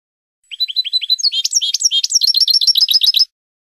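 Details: Spanish-style European goldfinch song from a training recording for cage birds: a few thin, slurred notes open, then a dense, fast, tinkling twitter with sharp metallic flourishes runs on for nearly three seconds over a faint high whine.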